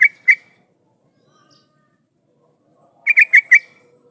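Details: Yellow-vented bulbul lure song meant to get other bulbuls singing: two bright chirps, a long quiet gap, then a quick run of four bubbly notes.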